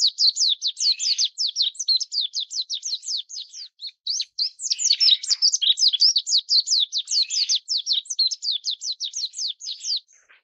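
Lowland White-eye: a steady stream of thin, high, twittering notes, about two or three a second, with no other sounds in the background.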